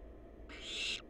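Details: In a monitored nest box, a wild barn owl chick lets out one rasping, hissing screech of about half a second, noisy and wide-ranging, after a stretch of low background hum.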